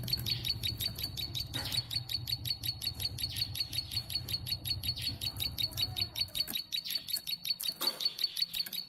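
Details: Tame plain prinia in full, long-burst song: a fast, even string of sharp clicking chirps, close to three per second, over a continuous high ringing tone and a low hum that fades after six seconds.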